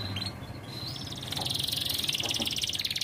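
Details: Canary in 'ting ting' style singing: a few thin whistled notes over steady background noise, then a loud, fast, high rattling trill that runs to the end.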